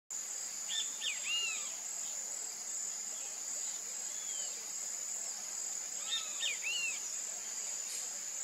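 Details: Great kiskadee (Pitangus sulphuratus), known in Brazil as bem-te-vi, a name imitating its call. Two three-note phrases about five seconds apart, each made of bright arched notes, the last slurred. A steady high insect hiss runs throughout.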